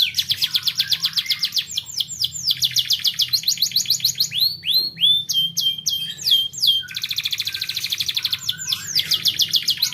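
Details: Canary song played to make young canaries sing more: varied phrases of rapid repeated notes, loud swooping arcs midway, and a dense rolling trill near the end, all high-pitched and energetic.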